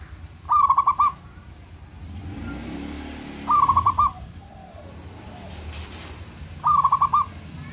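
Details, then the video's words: Local zebra dove in strong singing form, calling to provoke rivals' anger and breeding urge: three short phrases of rapid, stuttering, trilled coos, each about half a second, spaced roughly three seconds apart over a low traffic rumble. "Perkutut lokal gacoran SI JAGO mancing emosi dan birahi lawan nya"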